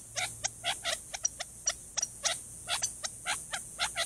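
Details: Alarm from a male Gambel's quail in chaparral at a Tucson, Arizona watering hole, warning of a nearby Cooper's hawk, captured by trail camera. Quick bursts of sharp staccato notes, some in doubled pairs, steady over a few seconds.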